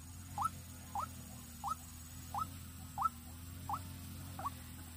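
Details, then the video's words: White-breasted waterhen kept as a decoy bird for luring, Vĩnh Long, Vietnam: short upward-sliding notes repeated about every 0.6 seconds, seven in all, with a steady low hum underneath. "Đam Mê Quốc Mồi Vĩnh Long"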